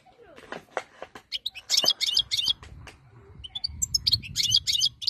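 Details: European goldfinch of the wild type singing a fast, high twittering phrase of clicks and short bright notes, with low rumbling background noise.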